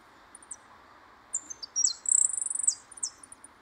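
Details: Caged European goldfinch singing its pipinas, being trained in the vareo beside a loose bird to prepare for singing competition; high, thin twittered notes lead into a fast, buzzy rattling trill, then a few more sharp notes.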